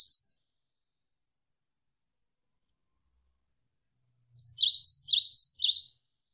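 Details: Cinereous tit (gelatik wingko) tutor recording for training songbirds: one brief high note at the start, four seconds of silence, then a quick burst of about five high, repeated two-note whistled phrases.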